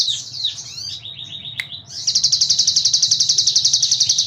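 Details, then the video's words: Cigun singing a tutor recording used in songbird keeping. High, varied chattering notes give way to a short series of falling notes, then a fast, even, very high-pitched pulsed trill of about a dozen notes per second, over a faint low hum. "MASTERAN CIGUN BREM"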